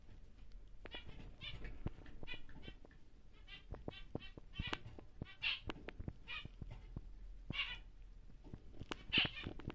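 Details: Large normal grey male zebra finch, caged and kept for breeding: a fast run of buzzy, nasal, stacked notes in repeated bursts, with sharp clicks and cage taps between them.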